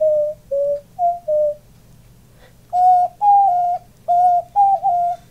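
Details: Pet male diamond dove, indoors with its owner, puffing up as it coos: soft, low mellow coos in short held notes, some slightly rising or wavering, given in pairs and small groups with pauses between.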